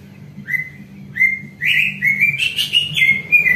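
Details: Greater green leafbird song used to coax other leafbirds into answering: drawn-out level whistles, then a busier run of bright, warbling whistled notes that step up and down in pitch.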